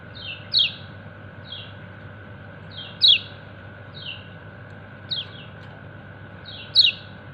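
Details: White-eye known locally as kecial kuning giving 'ciak ciak' calls to its companions: crisp, high, downward-sweeping chirps, some preceded by a fainter slurred note, spaced irregularly one to two seconds apart against a faint constant hum.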